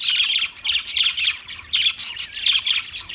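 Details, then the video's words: Budgerigar chirping in short bright bursts of warbled, squeaky notes, four or five phrases separated by brief gaps. "Beautiful Budgie Sounds"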